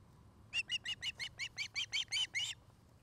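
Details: Afternoon nest-camera recording from Charlo, Montana, 2018, where an osprey pair nests: eleven bright, sharp whistled cheeps in quick succession, growing louder toward the end, with faint background hum.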